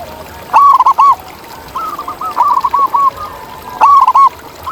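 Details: Wild zebra doves: bright clipped coos in short rapid bursts, a loud phrase at the start and end, and a longer softer rolling series of notes from another bird in between.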